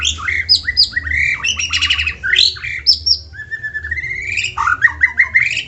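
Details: White-rumped shama song meant to get other shamas singing; varied whistled phrases mixed with harsh buzzy rattles, a long rising whistled glide, then quick slurred notes over a low hum.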